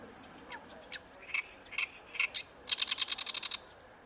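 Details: Oriental reed warbler at Ikejima in full song: scattered rasping notes build into a fast, evenly spaced run of about ten harsh, chattering syllables, high and grating.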